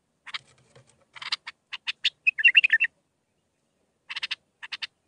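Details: Mandalawi-style bulbul song of six phrases for tutoring young birds. Separate clipped chirps build into a quick rolling warble midway, followed by more spaced sharp notes.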